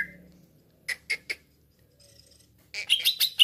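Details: Cucak ijo used as a trapping lure: three sharp chirps near the start, a pause, then a loud burst of rapid, jumbled high chirps and whistles at the end.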